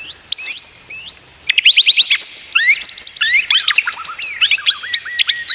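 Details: White-rumped shama song used as a lesson for captive birds: dense, high, fast-changing notes, quick up-and-down sweeps and sharp chips in a nearly continuous stream after a brief opening note.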